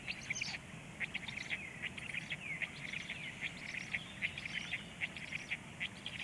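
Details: Begging black stork chicks during a feeding at 19:13: insistent grating chitters repeated more than once a second, a few sliding whistled notes mixed in, over a low background murmur.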